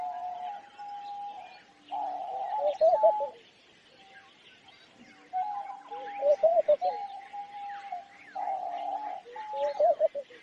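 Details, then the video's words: Homing pigeon near trees giving rolling, wavering coos in bursts about every four seconds, each after a steady droning tone, with small birds tweeting faintly in the background. "Sound of Homing Pigeon"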